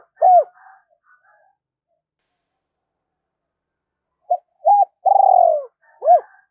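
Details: Spotted dove kept as a decoy, calling to lure wild birds into fighting: a single hooked note with soft trailing sounds, a long pause, then short clipped notes, a drawn coo and another hooked note.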